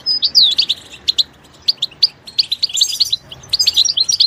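A goldfinch sings a quick, tinkling twitter of high chirps and short liquid trills in rapid bursts, with brief pauses between phrases.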